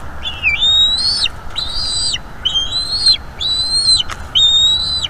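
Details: Bald eaglet in a northeast Florida nest, talking during a feeding by its mother: five drawn-out high piping whistles, roughly one per second, over a steady background hiss.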